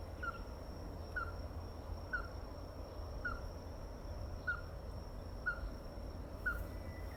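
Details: Ruddy-breasted crake calling: short, sharp, slightly falling notes repeated about once a second, seven in a row, over a steady low rumble of background noise.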